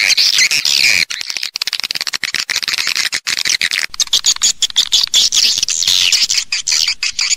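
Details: Swiftlets heard in a stereo calling and roosting recording: a near-continuous wash of high, buzzy chatter, broken into fine crackling pulses, with many overlapping voices.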